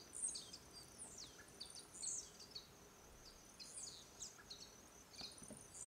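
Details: A male blue-black grassquit (tiziu) sings during its leaping display near RPPN das Araucárias Gigantes, Itaiópolis, Santa Catarina, Brazil: short, very high, thin buzzy downslurred notes about every 1–1.5 seconds over faint hiss. The jumps likely serve courtship and male competition.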